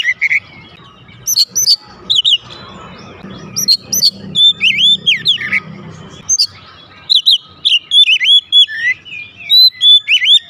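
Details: Vigorous, loud song from a kept oriental magpie-robin answering at once: sharp high chips and twisting whistles at first, then a continuous lively run of looping whistled notes, over a faint low hum.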